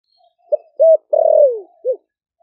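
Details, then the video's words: A wild-caught spotted dove kept four months in a cage in Ninh Thuận, Vietnam, gives one 'thổ đặc' coo to stir doves: clipped note, level coo, lengthy falling slur, brief final coo. "Cu gáy kích bổi nhanh nổi GIỌNG THỔ ĐẶC ( THỔ SẤM )gáy gọi bổi về,cu gáy ninh thuận bổi 4 tháng lồng"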